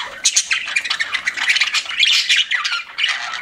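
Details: Pet budgies chattering: rapid overlapping chirps, warbles and scratchy squawks in a steady stream, rising and falling in pitch, with several short bursts louder than the rest.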